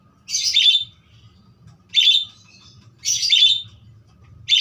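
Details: Budgerigar giving loud harsh chirping bursts about once a second, each short and noisy, with a low hum between them.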